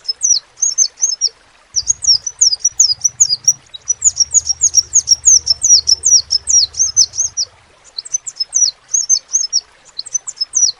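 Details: Crimson sunbird singing energetically, a continuous stream of high, sharp, quickly repeated downslurred chips and twitters in long runs, broken by brief gaps, with a low humming noise in the background.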